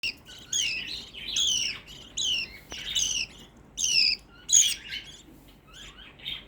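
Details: Pet black-face budgerigar, a single caged bird whose loud noise bothered the household, giving a run of bright warbled chirps, each falling or rising sharply, in bursts about every half second to second, with quiet room hiss between.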